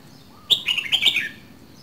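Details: Red-whiskered bulbul from Dak Lak, kept as a cage bird, giving one short phrase of about 0.8 seconds: a sharp high opening note, then rapid warbled notes stepping down in pitch, over a quiet background.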